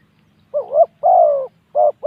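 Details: Spotted dove calling in a ground-arena decoy match, over within 7 minutes 31. A quavering upward-sliding coo leads into a long, steady falling coo, followed by short clipped coos. Deep, soft tone, no other sounds.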